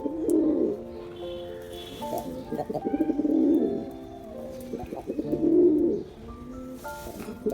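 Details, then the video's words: Male black pigeon performing: deep, rolling coos swell up roughly every two to three seconds, each lasting about a second, over steady background music with sustained tones. "Pigeon Sound Effect || Male Pigeon Super Performance || Black Pigeon"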